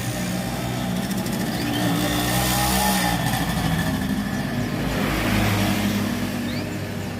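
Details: Steady roadside traffic with cars and motorcycles passing and engines revving, a continuous low rumble and no clear animal voice.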